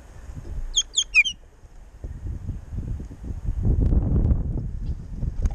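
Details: Baltimore orioles at a backyard jelly feeder on a windy day; three quick clear whistled notes, each sliding downward, come early, followed by gusting wind and rustling.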